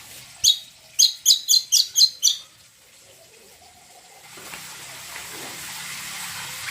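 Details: Greater green leafbird (cucak kombo) lure song for prompting other birds to sing: a quick series of seven bright, high chirps over about two seconds, followed by quiet and then a rising watery hiss.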